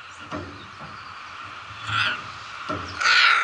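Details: Macaws kept at Emperor Valley Zoo, Trinidad, on a holiday; a rasping, crow-like squawk rises at the end, preceded by a softer harsh note, with constant low background hum.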